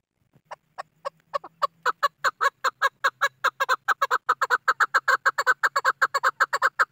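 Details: Chukar partridge call used by hunters as a decoy: loud, harsh, clucking notes that start slowly and speed up into a steady run of about two to three per second.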